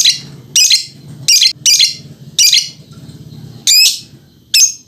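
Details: Dancing lovebird chattering in quick harsh squawks, some paired closely, seven bursts in five seconds, over a faint low background hum.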